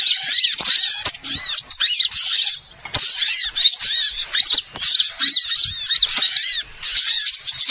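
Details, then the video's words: Lure sound for trapping small birds: a busy flock chatter of sharp, arched chirps and squeaky notes in repeated bursts of about a second, separated by brief dips, with many birds calling at once. "suara Pikat burung Kecil super tajem"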